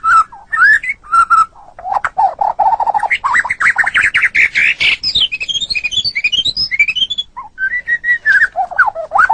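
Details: White-rumped shama, murai batu, kept caged, pouring out a continuous varied song: clear whistles, fast chattering runs and a high twittering sweep of notes.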